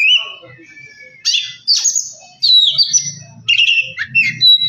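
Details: Oriental magpie-robin song used to provoke another bird to sing: separate bursts of whistled and harsh notes, some sliding downward, with a faint low hum in the background.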